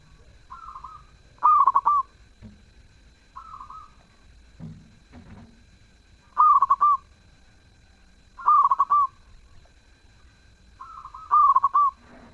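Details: Zebra dove singing eagerly and sweetly: loud rolling coo phrases repeat about every three seconds, alternating with quieter smooth coos, with a few dull knocks in between.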